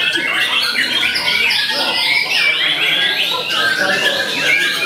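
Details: Young white-rumped shama, eight to nine months old, singing at a bird contest: fast, tangled series of rising and dipping whistles mixed with rasping chatter, unbroken throughout.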